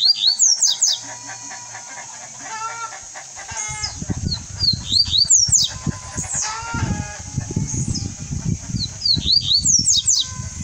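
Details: Double-collared seedeater singing the Alok song style, used for song teaching; thin high whistled notes and quick slurred trills repeated over loud low rumbling and clattering noise.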